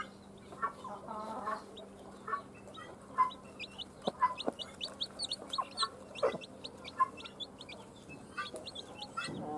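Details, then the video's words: Freshly hatched chicken chicks chirp continuously in high, brief, repeated peeps from several birds at once, joined by a few lower soft notes early on and occasional knocks and taps. "JUST BORN "Chicks Chirping" Sounds"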